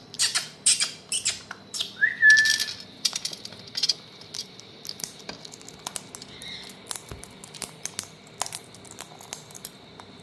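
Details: A pair of Indian parrots (rose-ringed parakeets) eating. Dry broadband crunching clicks come in irregular bursts throughout, with one short whistled note near the start and a steady faint high tone in the background.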